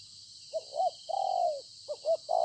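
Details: Field-caught decoy spotted dove at Konlong, 26 September 2020, giving a soft coo phrase: two short notes, then a long, gently descending coo, and the start of another, over high hiss.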